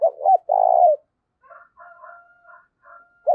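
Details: Spotted dove used as a lure for wild doves, 'giọng thổ' style: short coos and a long purring coo, then faint higher chirps from another bird before the next phrase begins.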